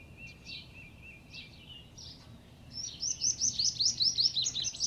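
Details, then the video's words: Sunbird in Karnataka: a thin steady tone followed by a fast run of high, bright, repeated chirps, roughly two or three per second, over light background noise. "ಹೂವಿನ ಹಕ್ಕಿ - ಸೂರಕ್ಕಿ | sunbird"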